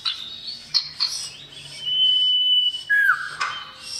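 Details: Calling to a female, a male common iora gives a few short sharp chirps, then a long, even, high whistle that breaks into a lower note sliding downward.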